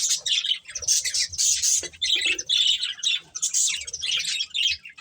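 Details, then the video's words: Budgerigar breeding pair, caged pet birds, giving dense bursts of high chattering chirps and warbles, nearly continuous with brief gaps, some harsher squawky notes mixed in. "Cute Budgies Chirping Sounds"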